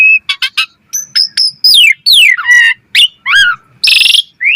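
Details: Energetic Asian pied starling song meant for training other starlings, mixing short clicks, long descending whistles, squeaky bent notes and a harsh buzzy burst near the end.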